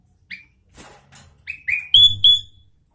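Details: Sooty-headed bulbul singing vigorously: a series of bright, upslurred whistled notes that grow louder and higher toward the end, with a soft rustle between them.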